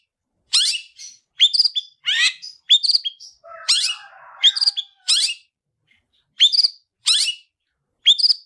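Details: Long-tailed shrike performing 'tarung ngalas' fighting song as a gacoran tutor bird: series of sharp upslurred chirps and harsh notes, with a soft low warble in the middle and a short gap near the end.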